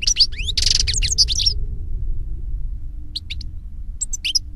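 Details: European goldfinch singing in nature: a rapid burst of tinkling, twittering notes with a short buzzy trill in the first second and a half, a pause, then two brief twittering phrases, all over a steady low rumble.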